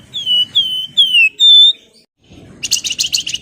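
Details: Javan wergan singing to lure rivals: four loud whistled notes, sliding downward then held level, followed after a short gap by a rapid burst of high buzzy chirps.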